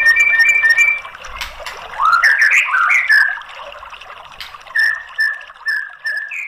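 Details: White-rumped shama song played to coax a silent bird into singing. Steady twin whistles give way to a rich, tumbling warble, then spaced short whistled notes, ending on a rising note.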